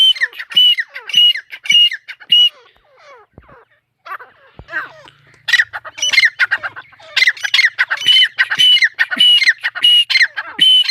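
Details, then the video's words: Repeated raspy, squawking calls from a female partridge (teetar), the lively call: several loud bursts, a quieter stretch of faint chatter, then a longer series of harsh notes with whistled overtones. "mdi ke Awaz # tetar sound # Teetar Voice # Atif Bhkar Bird # Tetar ke masti wali korak"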